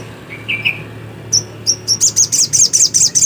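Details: Black-capped white-eye in lively song, a couple of softer lower notes, then spaced high whistles building into a fast, regular series of shrill chirps, about six per second.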